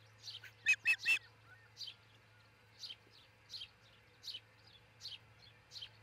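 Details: Nest camera in Charlo, Montana, early morning of 22 June 2018, where an osprey couple nests: softer high chirps, then three loud piercing whistled notes, then steady fainter chirps spaced under a second apart over a low steady hum.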